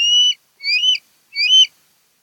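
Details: Osprey from a nesting pair on Kent Island, Maryland, on a nest cam: three piercing whistled notes, each sliding upward and about a third of a second long, evenly spaced against silence.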